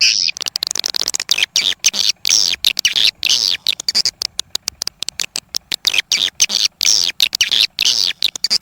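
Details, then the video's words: Swiftlets in a test of sound for a swiftlet house, an original recording imported from Malaysia: dense, continuous high chirping and twittering broken into quick pulses, with occasional thin whistled notes. "Sound Test of Swiftlet សម្លេងដើមរបស់សត្វត្រចៀកកាំ"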